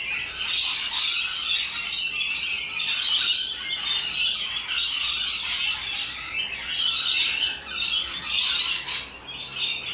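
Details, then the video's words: A dense, continuous din of shrill, grating screeches from a flock of wild rainbow lorikeets in Australia, loud and unbroken for ten seconds. "Loud and Obnoxious Parrots - Rainbow Lorikeets"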